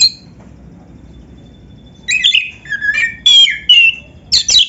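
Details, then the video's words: Oriental magpie-robin singing lively 'gacor isian' song intended to make other magpie-robins answer. After a short call and two seconds of quiet, varied whistled and slurred phrases follow in quick uneven bursts. "PANCINGAN KACER GACOR ISIAN"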